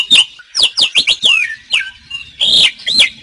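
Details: Asian pied starling giving a short burst of song: several sharp falling whistles in quick succession, then a harsh squawk and a final whistled note.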